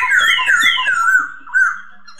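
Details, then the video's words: Masked laughingthrush (poksay hongkong) with a bright run of falling whistled slurs, fading into a quieter short note and a soft trailing tail. "Poksay terapi suara poksay,hongkong"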